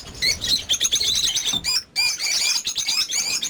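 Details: Over fifty lovebirds kept at a breeding farm, chattering together in a dense mix of high, shrill chirps and squeaks with a short lull midway.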